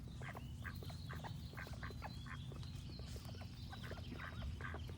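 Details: Ducks quacking in a dense, overlapping chorus of short nasal calls, many per second, with high thin birdsong above and a steady low hum beneath.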